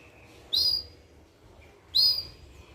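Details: A 30-day-old Portuguese Harlequin canary gives two loud, sharp, high upslurred chirps about one and a half seconds apart, with faint low twittering between them.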